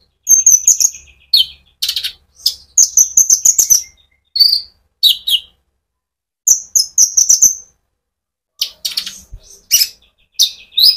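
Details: Rolling sunbird (konin) song played to provoke other birds; separate bursts of high twittering chirps and short downslurred notes, broken by brief pauses.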